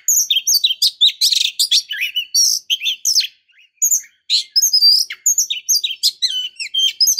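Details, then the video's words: Female white-rumped shama calling to stimulate a male's song: rapid high chirps, buzzy notes and whistled slurs in busy bursts, broken by a brief pause midway. "Pancingan kacer betina"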